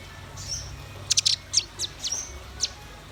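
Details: Velvet-fronted nuthatch with white-rumped shama in full song: a brief high whistle, then a quick cluster of piercing high ticks and several spaced sharp chirps, over a faint low hum.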